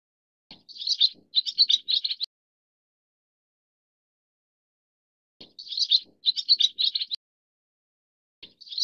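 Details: Leucistic Pacific swallow twittering in quick chattering bursts, each run of busy, slightly buzzy chirps lasting under two seconds, then a long silence before the next burst; no other sounds.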